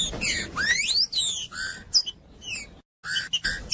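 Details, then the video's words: Green-winged saltator song intended to warm up a cold bird and coach chicks for singing contests: a long upward-sweeping whistle, then quick slurred notes and clipped phrases interrupted by a short dead-silent break. "TRINCA FERRO CANTANDO / ESQUENTAR TRINCA FERRO FRIO"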